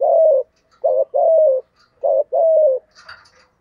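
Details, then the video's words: Spotted dove in 'giọng thổ' voice, 'thúc gù' cooing: alternating short hooked notes and longer gently falling coos in quick succession, ending with a brief chirp from another bird. "cu gáy giọng thổ thúc gù đỉnh của chóp"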